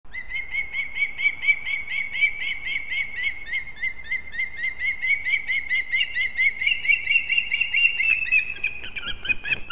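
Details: Osprey chicks competing at a nest built in a branch of a leaning old pine in Kurzeme, Latvia, dated 11-9-24: fast, steady series of high whistled cheeps, rising at the end, about two per second, over faint background hiss.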